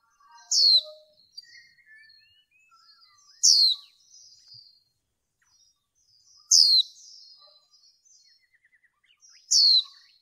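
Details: Female white-eye used in bird training to excite males gives sharp, high, down-slurred notes about every three seconds. Faint, softer chirps and twittering notes fill the gaps.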